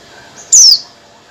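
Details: Female Oriental white-eye calling to attract a male: a single loud, thin, high whistled note sliding steeply downward, about a quarter second long, over quiet background.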